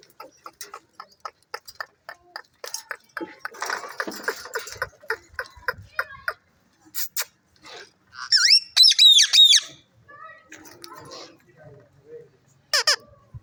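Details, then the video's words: Talking pet parrot, called mian mitho, gives a string of regular dry clicks and soft chattering. Near the end comes a loud, wavering, rising and falling screech, followed by a few short sharp calls. "talking 🐦 parrots"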